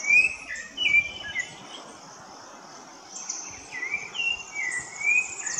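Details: Rufous-bellied thrush singing in the woods: short clear whistled phrases in two bursts, some rising then falling, split by a quiet pause, over a steady high chatter of other birds.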